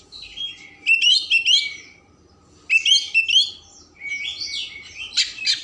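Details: Oriental magpie-robin singing a rich, varied song meant to stir emotion and tail opening: three loud bursts of whistled, warbling phrases with sharp notes, separated by pauses of about a second, over a faint low hum.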